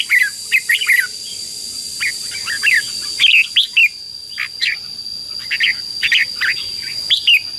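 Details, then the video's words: Red-whiskered bulbul competitive song meant to excite decoy birds: spaced clusters of short, bright, slurred whistles and chirps with pauses between, over a steady high-pitched hum and soft hiss. "CHÀO MÀO HÓT GỌI BỔI CHÉ CĂNG ĐÉT QUÁ HAY - KÍCH CHIM NHANH CĂNG LỬA"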